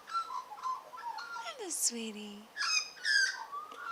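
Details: Kept Australian magpies in a garden, a grey-backed female fond of singing and encouraged by her owner: quick warbling mix of falling whistles, low steady notes, and harsh noisy bursts, with the owner's voice nearby.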